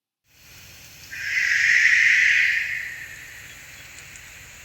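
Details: An Australian Masked Owl of tall old-growth eucalypt forest in south-east Queensland gives a single long, deep, rasping, hissing screech of about two seconds. It is more drawn-out and deeper than an Eastern Barn Owl's screech, heard over faint hiss.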